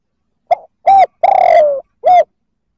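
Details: Male-provoking coo of a spotted dove: a soft lead-in note, a short coo, a drawn-out, gently falling coo, and a brief final coo, with no other sounds.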